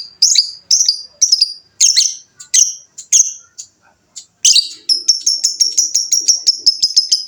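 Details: A fighter-type lovebird's long trilling song, called ngekek panjang, begins with a run of sharp, separate high chirps. After a brief pause it breaks into a fast, steady trill of thin buzzy notes that lasts to the end.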